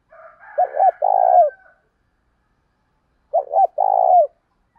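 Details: Spotted dove giving a provoking coo to trigger other doves into cooing. Two low phrases of two short notes and a longer buzzy coo come about two and a half seconds apart. A faint higher tone leads in.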